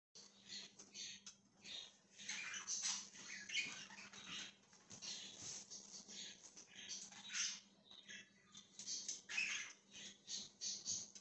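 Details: Budgerigar chirping indoors on 1/20/2023: a dense stream of scratchy, buzzy chatter with short bright whistled notes, steady and unbroken across the whole stretch, over a faint constant low hum.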